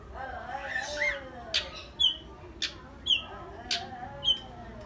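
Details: Long-tailed shrike giving short, sharp high chips about once a second, each a quick downward flick, over faint lower murmuring tones in the background.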